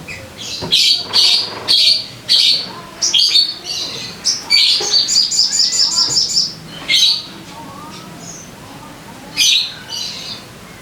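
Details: Sogon song played as a lure so caged birds start singing: loud, dense bursts of piercing chirps, then a fast rattling series of high notes, with brief lone chips afterward.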